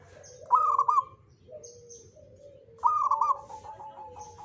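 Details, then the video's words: Local Javanese zebra dove singing in the Jogoboyo style: two loud phrases about two seconds apart, each a quick stuttering run of mid-pitched cooing notes trailing into softer, lower drawn-out coos; faint high chirps of other birds behind. "SUARA PERKUTUT LOKAL JOGOBOYO"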